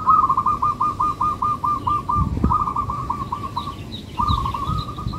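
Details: Melodious local zebra dove song. A long, rapid string of short, clipped coo notes runs almost without pause, briefly broken twice, with a few soft thuds underneath.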